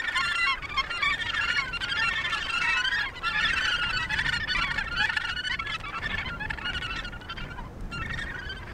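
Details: Australasian gannets at their Point Danger breeding colony, Victoria, Australia, calling nonstop: a thick mass of raucous, nasal croaks from numerous birds at once.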